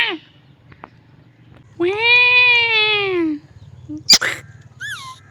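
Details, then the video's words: Pet parrot making weird, funny sounds: a short squeak, then a long drawn-out tonal wail that rises and falls like a meow, followed by a sharp click and a brief high squeal. "My Parrot Makes Weird Sounds"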